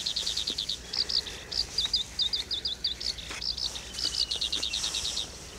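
Black-browed reed warbler delivering a fast, high chattering run of repeated chip and trill notes, shifting pattern every few notes, over faint background hiss.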